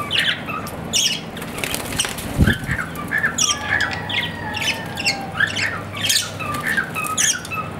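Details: Pet budgerigar chattering busily: a rapid jumble of scratchy chirps, squeaks and short whistled slurs, nearly continuous throughout, with one low thump in the middle and a steady hum in the background.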